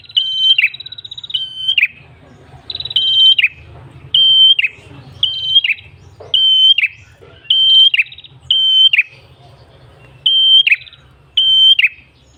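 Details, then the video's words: Red-headed tailorbird song used for luring birds: about ten paired phrases of a level whistle followed by a falling buzzy note, some preceded by a higher rapid trill, over a faint low hum. "PRENJAK KEPALA MERAH GACOR SUARA NGALUN ENAK"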